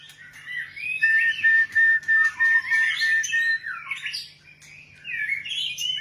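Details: White-rumped shama singing a string of evenly spaced, steady whistled notes repeated rapidly, followed by looping warbled phrases, with a soft continuous hum beneath.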